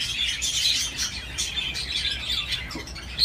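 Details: Budgerigar playing on a swing, giving a busy, continuous warbling chatter of high chirps and scratchy notes, with a sharp squeak at the very end.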